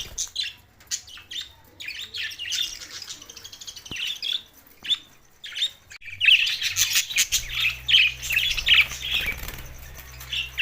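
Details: Budgerigars recorded June 7, 2024, in Larkana, Sindh: scattered high chirps and squeaky notes for six seconds, then a dense, continuous warbling chatter to the end, with a low steady hum underneath.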